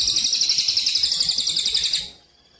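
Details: Training recording of a Cililin-type Eurasian tree sparrow singing the 'kapas tembak' style for contest birds: a sustained, shrill, evenly pulsed trill of about two seconds that fades out at the end.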